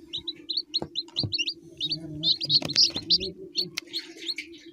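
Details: Young chicken peeping rapidly, about three or four short high notes per second, some louder and shrill in the middle. A low background hum runs throughout, with occasional soft thumps.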